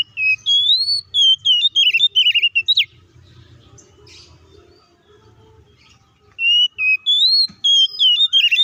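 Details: Combative Oriental magpie-robin song meant to make rival birds agitated: fast, jumbled whistles and slurred warbles in a three-second burst, a quiet gap, then another energetic run of sharp varied notes.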